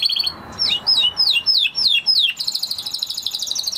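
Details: Singing Spanish Timbrado canary: a string of descending, slurred whistles repeated about every quarter second, then a rapid, high, even trill.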